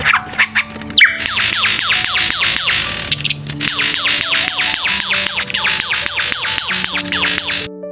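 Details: A male Superb Lyrebird in the eastern Australian rainforest performs a mate-attracting display, mimicking forest sounds with rapid, high, laser-like zaps that sweep steeply downward several per second, over background music. The zaps are organic vocalization, not a sound effect.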